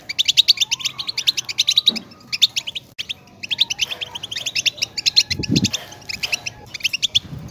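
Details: Continuous chattering European goldfinch song: fast strings of bright, clipped high-pitched notes repeated in dense phrases and broken by a short gap around three seconds, with faint low knocks behind.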